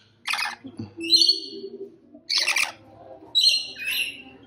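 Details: Three loud, grating shrieks from a rainbow lorikeet, each under half a second and about a second apart. A soft, low tonal hum lies between them.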